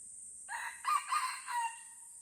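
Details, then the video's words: Aceh red junglefowl in the Lamteuba rainforest, amid fighting: a clipped crow of a soft first note and three loud, coarse syllables, the final one tailing away, set against an unbroken high-pitched insect chorus. "Ayam Hutan Aceh # Tarung Berdarah - Darah Ayam Hutan di Rimba Lamteuba"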